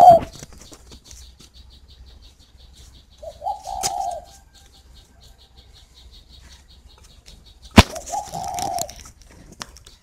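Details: Spotted dove from a bird garden in Ba Vì, Hanoi, northern Vietnam: two brief low coo phrases several seconds apart in a quiet room, broken by a sharp knock and faint wing flutters.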